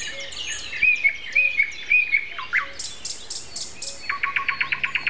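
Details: Common nightingale in morning song on April 29 at 7:55, in a season that started in mid-April: three clear whistled notes, then a quick run of sharp, repeated dry notes, with other birds calling softly.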